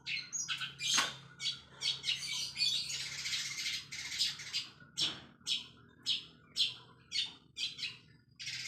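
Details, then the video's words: Long-tailed shrike singing fast, with sparrow-like mimicry used as a lure to get other shrikes singing: harsh, scratchy chirping bursts roughly twice per second. The bursts run together into a dense rasping stretch midway. "CENDET ISIAN GREJA FULL SPEED!!! PANCINGAN CENDET GACOR DOR!!!"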